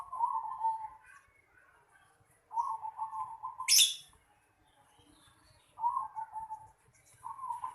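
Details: Zebra dove calling in the yard of a house: bursts of soft, rapid, rolling coos at a fairly low pitch, each lasting about a second and separated by pauses, with one brief sharp high burst mid-clip.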